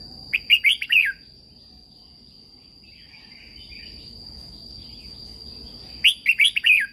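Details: Thai Red-whiskered Bulbul in a cage, its song played to excite and train other caged birds. A rollicking phrase of five whistles, faint scattered notes, then the same phrase again about five seconds later, with a steady high tone behind.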